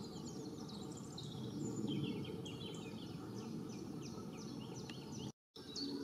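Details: A pair of Long-tailed tits gathering feathers while building their ball-shaped nest during the breeding season (late March to May). They give thin, high twittering calls in quick scattered bursts over a steady low rumble of wind or distant traffic.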